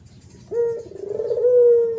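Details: Spotted dove in thổ pháp song style, 2023, meant to provoke males and females: a single short coo, pulsing briefly before settling into a smooth, slightly rising held tone.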